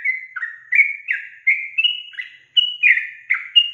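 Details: Sooty-headed bulbul female in full voice, her calling meant to draw answers from males: a steady string of clear whistled notes, each dropping or rising slightly in pitch, delivered about twice per second.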